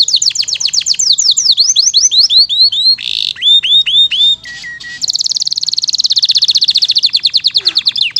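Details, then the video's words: Canary in full, active song from a long training recording with a rich repertoire: rapid falling whistles, slower looping notes, a low steady tone, then a fast buzzy trill rolling for three seconds. "Masteran Burung KENARI Gacor ISIAN MEWAH Durasi Panjang"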